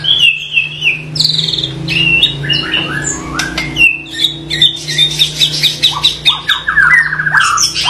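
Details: Varied white-rumped shama song with whistled slurs, rapid high chattering bursts and harsh notes, energetic and continuous, low hum in the background.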